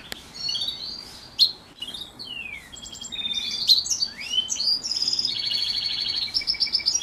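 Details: House finch and canary hybrid singing during morning training: a lively, varied run of high whistles, sweeping slurs and buzzy trills, ending in fast rattling phrases, loud and continuous.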